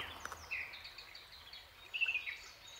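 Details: Male Common Blackbirds whistling in a territorial contest, marking breeding territory with song; faint warbled phrases around the middle pitch, one near the start and a brighter burst after two seconds, over low background noise.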